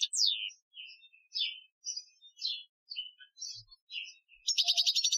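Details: European goldfinch singing an Algerian training song, 2015: separate sharp, downslurred chirps and short twittering phrases spaced by brief pauses, finishing with a quick burst of dense high trilling.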